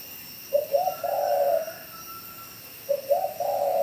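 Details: Spotted dove from Bảo Lộc, Lâm Đồng, Vietnam, giving the call style known locally as "gáy thúc": two low, mellow coo phrases, each a short stuttered note then a longer drawn-out hoot, about two seconds apart, over a faint steady hum.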